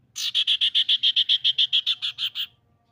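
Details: Common iora lure sound used to prompt rival birds to sing: a rapid run of about fifteen even, buzzy chattering notes over roughly two seconds, steady in pitch.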